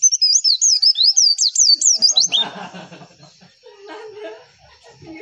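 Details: Javan white-eye masteran song used to stir other white-eyes to respond: a fast rolling string of high, wavering chirps for about two seconds, followed by soft low chatter and murmurs.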